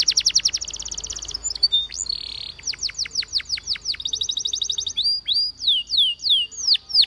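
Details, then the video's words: Training song of a Waterslager canary, a continuous run of high rapid trills, a short buzzy burst, then evenly spaced curving whistled notes and fast rattling rolls, repeated several times each second. "The Best Canary Sound!!! Reliable for Waterslager Canary Training"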